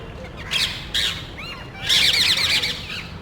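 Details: A few parrots searching a neighbourhood for nest sites among cable boxes, calling loudly as if quarrelling; short harsh screeches, then a longer rasping burst of rapid squawks.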